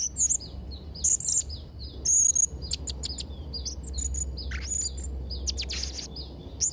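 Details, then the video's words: Song of a blue-crowned hanging parrot, used to train young birds: high, thin whistles and sharp, scratchy chirps delivered in irregular bursts, some of them buzzy, against a quiet background. "Variasi & Isian Suara Serindit Trotol Gacor | Sangat Cocok Untuk Masteran& Pancingan Burung Serindit"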